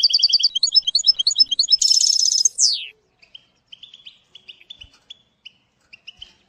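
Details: European goldfinch song used in schooling a young bird: quick repeated twitters, a dense buzzy trill, a steep falling slurred note, then scattered soft chips and call notes.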